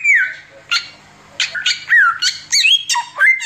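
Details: Oriental magpie-robin in nonstop 'tembakan' song, used as tutor material for training birds; clear falling and rising whistles mixed with short scratchy rasping notes, delivered in quick irregular bursts.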